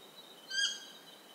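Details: Stygian owl recorded in Ecuador: a lone, short, tonal call with layered overtones and a quick swell and fade, while insects keep a steady high drone behind it.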